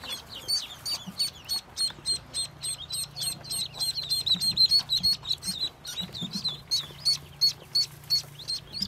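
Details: Newly hatched yellow Muscovy ducklings, a brood of 25 from a white Muscovy duck, give a dense run of high, thin peeps, several each second, overlapping with some louder sharp notes and soft low background hum.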